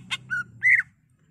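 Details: Greater green leafbird, a caged songbird, giving a short burst: a harsh broadband note, then a level whistle and a louder arched whistled slur, over low background hum.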